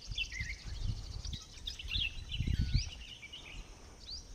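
Red-whiskered bulbul giving short, bright chirping and warbled notes in quick succession, set against steady low rumbling wind or handling noise.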